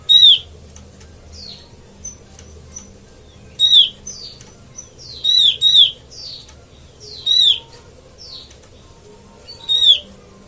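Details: Used as a trapping lure, an Oriental white-eye gives about eight sharp, downslurred calls over ten seconds, sometimes in quick pairs. Softer thin notes and a low hum run underneath.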